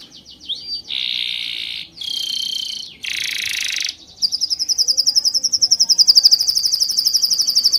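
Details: Short whistled slurs and three separate buzzy bursts, each about a second long, lead into a sustained, pulsing high trill that grows louder toward the end.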